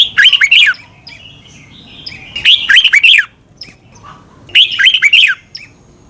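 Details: Red-whiskered bulbul song, played for caged birds to learn from, in Thailand: bright whistled phrases of four or five quick notes swooping between high and mid pitch, repeated about every two seconds with quiet gaps.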